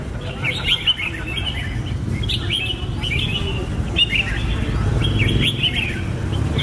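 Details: Red-whiskered bulbul, a passerine of tropical Asia, singing: short warbled, bouncy phrases of whistled notes repeated through the clip over a steady low rumble of background noise.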